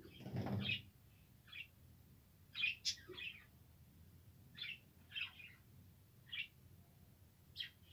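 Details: Budgerigars recorded 7 November 2023: a wing-flutter burst opens, followed by short, scratchy high chirps given singly or in pairs every second or so against a quiet background.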